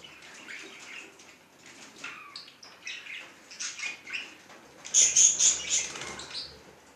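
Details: Pet budgerigar warbling in quick, irregular chirps and twitters, ending in a loud run of harsh, scratchy notes.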